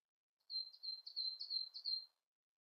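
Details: Siberian blue robin giving a short, high, thin warble of about four rising-and-falling slurred notes, fairly faint.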